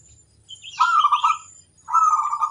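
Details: Zebra dove of local stock singing to provoke rival birds, giving two rolling, vibrating coo phrases separated by a short pause, with soft high twittering in the background.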